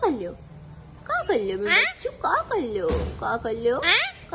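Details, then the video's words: Indian green ringneck (rose-ringed) parakeet talking: high, speech-like phrases with sliding, harmonic-rich tones, delivered in short bursts separated by brief pauses across about four seconds. "Indian Green Ringneck Parrot ||Adorable Parrot Parrots Lover || Parrots Talking"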